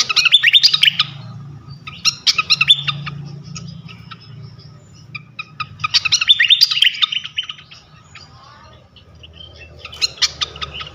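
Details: Flycatcher lure song to draw out other flycatchers: four separate bursts of rapid, scratchy twittering chirps, roughly every two to four seconds, with quieter spells between them.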